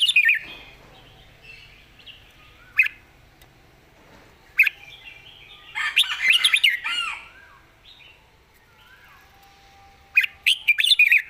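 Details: Red-whiskered bulbul described as a rising star with good song phrasing, giving scattered sharp notes, then a longer, rough, chattering warble, and ending with a quick burst of bright whistles.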